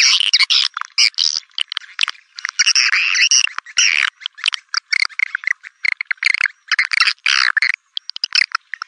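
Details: Swiftlet lure call played to attract swiftlets: dense, rapid bursts of high chattering, buzzy clicks and twittering, broken by short gaps, with no low sounds.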